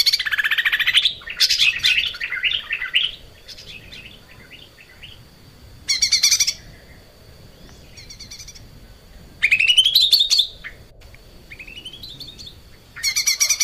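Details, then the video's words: Lesser green leafbird singing steadily on a training recording for cage birds. Varied rapid trills and chattering phrases alternate with short pauses, including rising buzzy sweeps and repeated loud bursts. "kicau cucak ijo mini gacor buat masteran"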